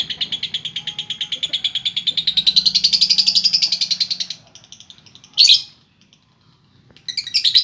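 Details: Konslet-style chatter from a female lovebird, a long run of rapid, high, buzzy pulses rising slightly in pitch for four seconds, then a pause, a sharp squeak and a fresh burst of chatter.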